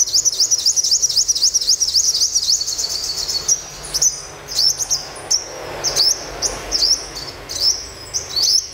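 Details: A caged olive-backed sunbird, freshly caught and being tamed through the morning, gives a fast, even string of high, sharp, rising notes, then slower separate upslurred chirps every second or so.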